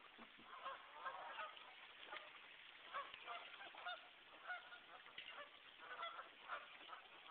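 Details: A flock of geese calling on a Massachusetts brook in a January 2009 snowstorm in West Concord; many overlapping harsh honks in bursts about every second, a busy chattering chorus over steady hiss.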